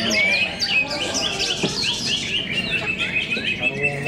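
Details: Greater green leafbirds singing at a bird-singing competition at KDP BC Arena, Cikeas: dense, fast, varied whistled and chattering phrases sweeping up and down, overlapping throughout, with a brief low thump midway and faint background music.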